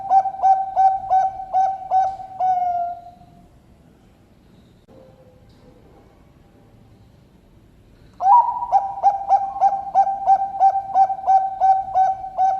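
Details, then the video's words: Bangkok-type zebra dove (perkutut) from a bird farm in Sidoarjo, East Java, Indonesia, singing in a thick-voiced rhythm: rapid series of short, deep, clear cooing notes about three per second, a quiet pause mid-recording, then the steady series resumes. "PERKUTUT BANGKOK IRAMA SUARA TEBAL"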